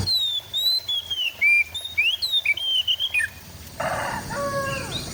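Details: White-rumped shama recorded with an Android phone in East Java, played as therapy for a reluctant singer: rich whistled phrases sliding up and down in quick succession, followed by a rooster-like crow and background noise.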